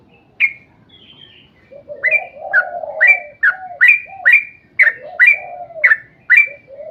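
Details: A sooty-headed bulbul's long 'ropel panjang' song, used to coax other bulbuls to sing. It starts with a lone sharp note and a brief thin whistle, then quick bright whistled notes pour out over low, rolling hoots.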